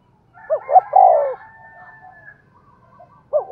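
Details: Spotted dove decoy cooing Thúc Gù style: one full phrase of two short rising notes and a longer falling coo over a faint tonal hum, with the start of another phrase at the end.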